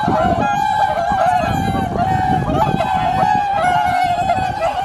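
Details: Swans calling at dawn during the blue hour on Kotoku marsh, Japan, still dark before sunrise. A continuous chorus of overlapping nasal, honking 'koo-koo' calls holds a steady tone, with wind buffeting and a low rumble underneath.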